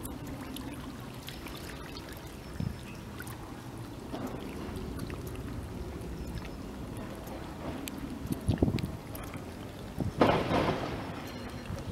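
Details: Low rumbling wind and lapping, pouring water fill the recording, with a few soft knocks and a louder splashing burst near the end, but no animal calls.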